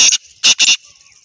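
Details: Black francolin in Pakistan giving harsh, grating, high-pitched notes in three quick bursts within under a second, followed by quiet.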